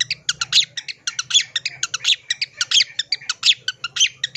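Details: Long-tailed shrike answering eagerly and showing its full isian repertoire: a continuous stream of rapid, raspy, squawking notes, about four per second, with a faint low hum underneath.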